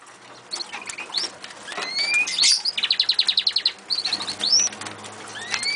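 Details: Caged female Eurasian siskin kept in an aviary, giving thin, rising whistled calls, then a fast burst of about a dozen buzzy notes, followed by more upward-slurred whistles. Wing flutters and cage rattles are also heard.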